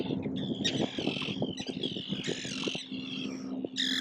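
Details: Gull parents calling while defending swimming, still flightless chicks in the wild, filmed from about 15-20 metres across to a small island; harsh, banded squawks around 3-4k repeat over a dense low rumble of other noise.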